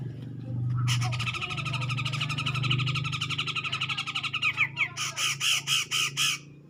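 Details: Grey-cheeked bulbul provoking a rival with a long buzzy, churring trill that breaks into a string of separate harsh pulses, about four per second, over a low background hum.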